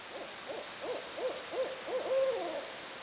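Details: Barred owls hooting away: a quick series of about seven short up-and-down hoots, steadily louder, ending in a long, slurred descending note.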